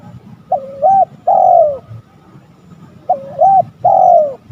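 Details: Spotted dove rival-luring call given twice, about three seconds apart. Each phrase is a looping double coo followed by a long mellow downward coo, with low hum between phrases.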